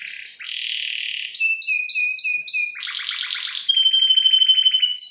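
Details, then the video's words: Female canary luring the male, singing gacor cengkok isian song used as a lure and master: a buzzy roll, five repeated two-part chirps, then a pulsing trill and a long fast rattle. "Pancingan dan masteran burung kenari gacor cengkok isian"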